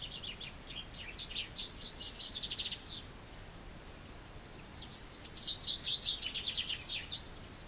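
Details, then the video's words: Spring chaffinch song, two quick high phrases about two seconds apart, each a fast rattling series of crisp notes descending toward a terminal flourish, with faint steady outdoor hiss behind. "Chaffinch singing spring's praise!"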